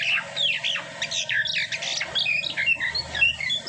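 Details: Asian pied starling after moulting, singing a dense run of harsh squawks mixed with clear whistled notes that rise and fall, the phrases tumbling together with little pause.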